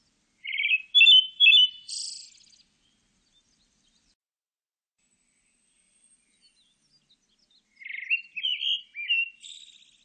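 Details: Pale thrush song: two phrases about seven seconds apart, each a few clear upslurred whistles followed by a high, buzzy, twittering flourish, with silence between.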